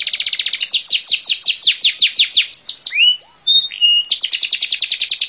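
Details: Singing canary with a quick train of sharp descending notes repeated several times per second, a brief interlude of soft slurred whistles, then another fast metallic trill.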